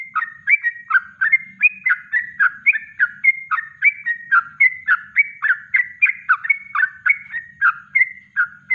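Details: Yellow-vented bulbul in a natural kongslet song for training birds, delivered as a continuous, rapid chatter of bubbly, slurred two-part notes roughly three or four per second, loud and unbroken throughout, with faint low hum behind.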